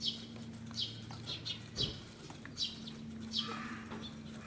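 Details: Adult Eurasian tree sparrow scolding near an apartment bicycle shelter to lure a predator away from a fledgling. Short, downward-sliding chirps are spaced irregularly and backed by a steady low mechanical hum.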